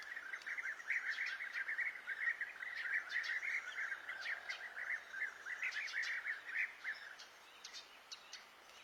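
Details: Unknown songbird outdoors delivering a rapid, unbroken jumble of twittering notes, with scattered high, sharp squeaks on top, fading slightly near the end; soft ambient hiss underneath.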